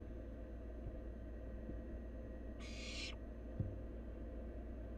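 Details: Wild barn owl nestling at a nest during feeding, as it gulps down half a rabbit: a single harsh, breathy hissing screech lasting about half a second, over a steady low hum.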